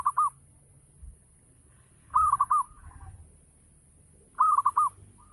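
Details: Local zebra dove's ngayer-style lure song to coax other doves into replying: brief coo ending, then two full rapid four-note rolling phrases a little over two seconds apart, over soft low background noise.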